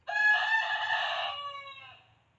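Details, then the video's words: Domestic hen call: a single loud, rich harmonic crow lasting about two seconds, steady and hoarse at first, then fading smoothly away, with a faint low hum beneath. "Natural sounds of my hens"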